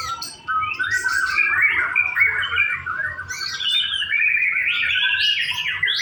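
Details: Simulated songbird contest with a white-rumped shama pouring out a continuous, varied song of quick whistles, trills and chattering notes that jump up and down in pitch over six seconds, with a faint low background hum.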